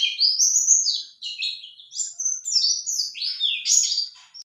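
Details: Male white-eye answering a lure call in a continuous, energetic high warble of whistled slides and chirps, each phrase rising then dropping, sung without pause.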